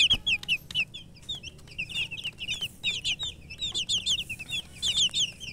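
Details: Murgi chicks, baby chickens, chirping in a lively chorus of short high downslurred peeps, repeated many times per second among several birds, with occasional clicks.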